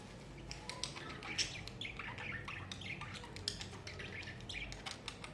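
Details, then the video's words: Several pet budgies in summer give dense chattering: quick squeaky chirps, clicks and short warbled phrases packed closely together over faint background hum. "Summer Chilling With Budgies"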